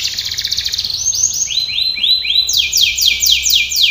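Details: Canary training song: a rapid buzzy trill of high sweeping notes, then slower series of arched, looping notes that step up in pitch, each tour repeated several times a second.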